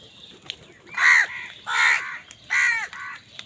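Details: Three loud, drawn-out harsh caws, each with a downturned arch and a short follow-up note on the last, come from crows contesting food.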